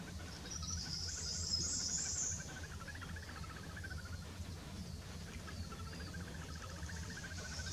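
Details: Little grebes mating at Sandwich Bay reserve, Kent, UK: a rapid, wavering, whinnying trill in two long bursts, a brief higher hiss at the start, over a steady low hum.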